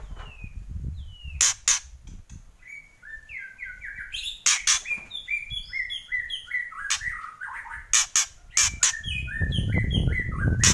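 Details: White-rumped shama (murai batu) giving kretekan song: rapid chains of short whistled notes that slide downward, mixed with loud abrupt crackling clicks every second or so, over a low rumbling background.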